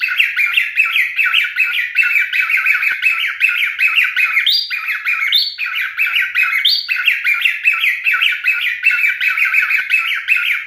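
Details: Pet male cockatiel singing at length: dense, quick chirping whistles repeated roughly two to three times a second, with a pair of higher rising whistles midway; the parrot's voice alone fills the recording.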